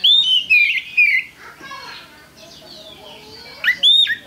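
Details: Oriental magpie-robin (kacer) in active, full song, presented as a pancingan recording to stir other birds into singing. Loud, clear whistled phrases with slurred rising and falling notes open and close the clip, separated by a quieter, fainter stretch in the middle.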